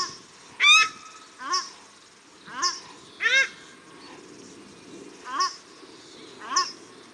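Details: Paradise shelducks, male and female, calling at Cornwall Park, Auckland, New Zealand: a run of about six nasal, arched honks spaced roughly one second apart, loud first then softer, with low background rumble.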